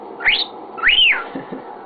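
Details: A pet male cockatiel, chatting with his owner, gives two clear whistles: a short upward chirp, then a longer arching whistle that rises and falls. Faint low sounds follow.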